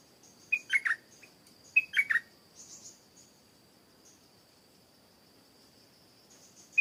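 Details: Stripe-throated bulbul in a garden, where a bird was brought to check on a reported good singer. Two brisk, gurgling three-note phrases come about a second apart, then high soft chirps and an unbroken insect whine.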